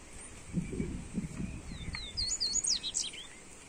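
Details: Seedeater known as coleiro gives a rapid series of high, looping whistled notes in the second half, after some low muffled knocks, against a noisy hiss. The song serves for warming up a bird.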